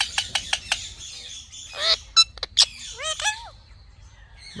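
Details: Indian ringneck parrot chattering: four crisp clicks, a raspy downward slur, sharp ticks, then paired bent nasal syllables and a low final squawk, like clipped mimicked words.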